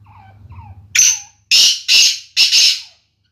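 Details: Grey francolin of the Sindhi type, described as a chakri-style caller giving 270 calls a minute: soft low notes at first, then three loud, harsh, broadband syllables in quick succession.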